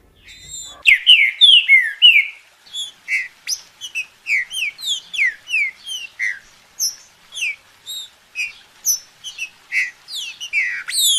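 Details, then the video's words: Green-winged saltator singing, used to warm up another bird into song: a burst of rich slurred whistles early, followed by steady sequence of short whistled and downslurred notes about three each second, clean background. "TRINCA FERRO ESQUENTAR SEU PASSARO"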